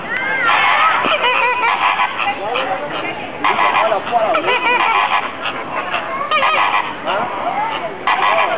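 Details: Loud, unbroken honking from a crowded group of social flamingos at the Bronx Zoo, nasal calls overlapping in waves, with some human chatter underneath.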